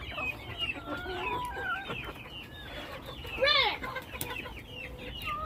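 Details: A flock of chickens kept by their owners, heard as a dense chorus of overlapping short clucks and chirpy upward and downward notes, with one louder drawn-out descending squawk near the middle.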